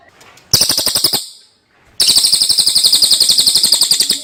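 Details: Common iora giving a clear masteran-style song: a short rattle of quick buzzy pulses, a brief silence, then a long steady trill of rapid even pulses to the end.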